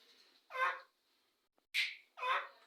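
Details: Parrots calling to each other, heard as three harsh, rasping squawks, each under half a second, with a brief quiet gap between the first and second.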